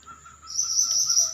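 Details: Pied bushchat in full voice: after a short pause, a sustained, shimmering, high-pitched trill rises in and holds for almost a second, with a thin steady background tone.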